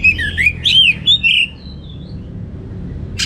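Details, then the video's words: Teler-style song of an Orange-headed thrush: three quick, rich whistled phrases with rising and falling slurs, then a faint thin note and near silence. "Suara Gacor Burung Anis Merah Teler Materi Melimpah 100% Jernih"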